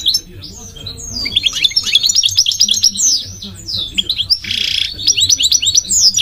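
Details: Goldfinch song of rapid, jumbled twittering and chirping notes, including a short burst of harsh buzzy sound near the end.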